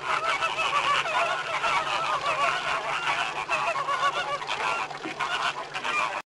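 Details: A dense flock of American flamingos (Phoenicopterus ruber) calling at once: a continuous goose-like honking and gabbling chorus of nasal, overlapping calls with no pauses.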